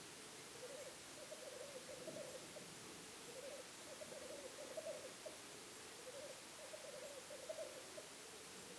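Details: Black grouse heard from a hide on a weekend stay: a soft, steady low bubbling that rolls in wavy phrases, rising and falling, under faint background hiss.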